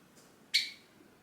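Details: Pet Java sparrow in its cage giving a single sharp, piercing call to its owner, who is about to leave; one loud note with a quick fade, in an otherwise quiet room.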